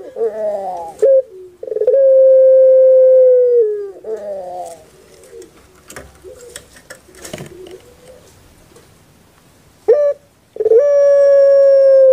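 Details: Puter pelung dove kept in Indonesia: a gurgle and a long level hoot, then several seconds of faint rustling and clicks, and finally another gurgle leading into a renewed sustained hoot.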